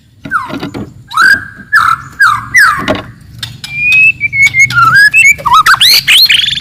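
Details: Loud, aggressive song of a wild forest white-rumped shama used to rile rivals: short descending whistles repeated about every half second, then a long wavering whistle and climbing varied notes.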